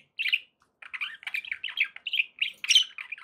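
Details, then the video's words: Pet budgerigars warbling continuously: quick chirps, buzzy notes and scratchy squawks run together in rapid chattering phrases, with one sharper, harsher note near the end. "relaxing budgie sounds"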